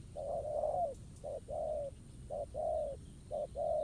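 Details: Spotted dove, a wild male responding to a ground decoy at a trap, cooing in a repeated pattern of short low notes followed by longer drawn-out coos, about one per second, over steady background hiss.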